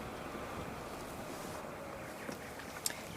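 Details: Outdoor wind and low rushing background noise with one brief sharp click near the end, without any animal call.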